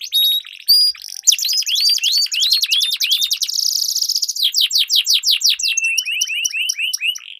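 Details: Canary duel used as a training lure for contest birds: rising whistled slurs repeated, a dense buzzy trill, then fast descending sweeps and rising notes in rolling sequence.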